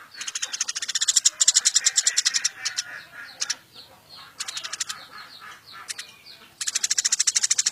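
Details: Captured Eurasian tree sparrow kept as a singing tutor for songbirds, chattering ever more intensely. Fast, dry, rattling chirp runs alternate with softer scattered twitters, then a dense rapid burst returns toward the end.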